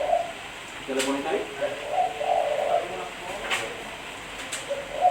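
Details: Spotted dove song used for luring birds: broken, burry low coos with a longer rolling phrase midway, interrupted by a few sharp clicks.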